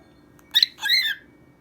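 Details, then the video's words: Cockatiel singing to a toy mouse on a bright colourful stage, one quick phrase: a brief sharp chirp then a longer warbling whistle that bends downward. "Cockatiel sings to mouse"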